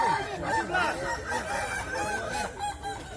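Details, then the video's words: Several Kukuak Balenggek cocks crow together at a West Sumatra singing contest: stacked, bowed notes repeating unevenly through a steady wash of crowd noise. "Lomba Kontes Ayam Kukuak Balenggek, Suaranya Bikin Kagum"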